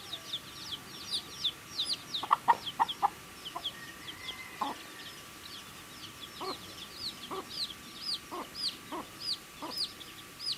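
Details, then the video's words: Several baby chickens feeding and chirping: constant high, thin peeps with scattered lower clucks and pecking sounds throughout. "Baby Chicken Eating Food | Cute Baby Chicks Chirping Sounds"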